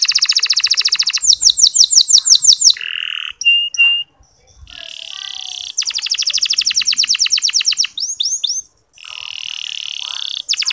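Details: Local canary training song, played to get sluggish male canaries singing: buzzy trills alternate with quick high sweeping notes, brief pauses and lower held buzzes in a varied, bright pattern.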